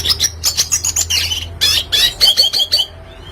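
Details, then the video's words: Red siskin, a classic energetic singer used as a tutor for young birds, in a rapid run of bright high twittering notes and buzzy trills with short chirps, stopping near the end, over a low steady hum. "Red Siskin Klasik Gacor Cocok Untuk Masteran Burung Bahan Agar Cepat Bunyi"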